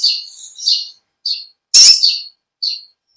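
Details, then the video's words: Olive-backed sunbird singing vigorously: a long, thin, very high whistle with twittering notes, then a harsh loud burst and a few short sharp chirps. "Original sound konin kolibri ninja suara lb ngekek panjang gacor"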